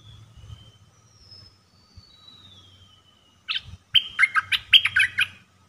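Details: Caged decoy red-whiskered bulbul for trapping, producing a brisk phrase of sharp repeated chirps near the end. Before it come faint thin whistles from other birds and a soft low rumble.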